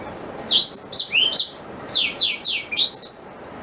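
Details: Black-throated canary, used to teach white-rumped shama, delivering a short phrase of clear high downslurred whistles and sweeping chirps, about eight notes in quick succession.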